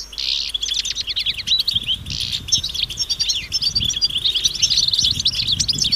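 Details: Wild European goldfinches in a chattering group, their mating calls said to get males singing again: continuous bright, tinkling twitters and quick rising chirps from several birds, with a soft low rumble underneath.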